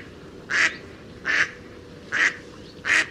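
A mallard gives four loud, harsh, nasal quacks, evenly spaced a little under a second apart, over a faint steady hiss.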